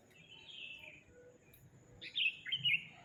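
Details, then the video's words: Sooty-headed bulbul song: a soft slurred phrase, then a louder, bubbly, warbling burst of quick notes in the second half. Low rumbling background noise underneath. "Kicau kutilang"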